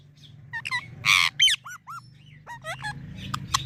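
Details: Parrot said to be talking, producing a loud rasping burst followed by several curved, yelping whistled notes and a few clipped chirps, with low background hum.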